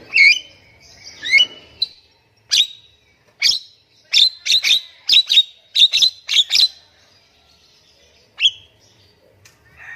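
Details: Nias hill myna, caged, singing to make mute mynas respond: opening whistled notes, then a rapid run of harsh explosive squawks, a pause, and a final loud call.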